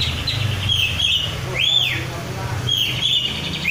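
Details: Oriental magpie-robin, a kept, untrained bird singing vigorously: whistled notes with an arching slur in the middle and level tones at each end, against a low background hum.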